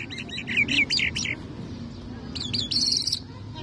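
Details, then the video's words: Lark singing in the Mashadi jal style, an Irani or Afghani jal song: bursts of rapid, scratchy high notes in two phrases separated by a pause, over a low murmur of background voices. "Mashllah Mashadi Jal Singing( Irani jal ) [Afghani jal Full Sining] Larks lunda jal مشهدي جل"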